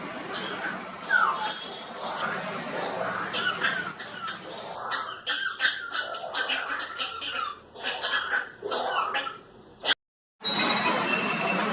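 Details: A shikra perched on a tall coconut tree, seen from a distance, makes harsh, raspy, coughing bursts (observer unsure whether coughing or choking), repeated irregularly for about ten seconds, with a brief silent gap near the end and faint room noise.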